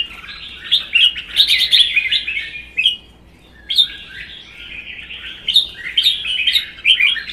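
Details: Vietnamese caged red-whiskered bulbuls sing competitively; one is wild-caught and one season in captivity, tail fanned. Dense runs of sharp, chirpy whistles fall into three bursts, with a brief pause after the first.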